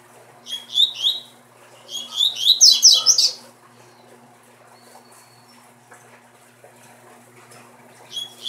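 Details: Double-collared seedeater kept as a breeding bird delivers quick, high, jumbled twittering phrases in two bursts, the second longer and louder, then falls quiet before a new phrase starts; faint steady hum underneath.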